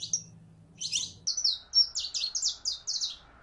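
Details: A female canary in heat, calling a male to mate, gives a brief tweet, then a tight burst, then a rapid chain of loud, high, slightly descending chirps.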